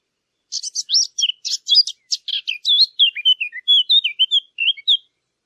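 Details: Birds chirping: a fast run of short, high chirps and buzzy notes gives way to a chain of slurred, whistled notes that dip and rise, delivered steadily for about four and a half seconds against a silent background.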